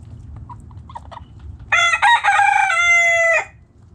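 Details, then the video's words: Rooster in a backyard flock crows loudly for nearly two seconds, a rich harmonic call with a choppy, broken opening and a long steady ending, after a few quiet hen clucks. "Backyard Chickens Relaxing Video Sounds Noises Hens Clucking Roosters Crowing!"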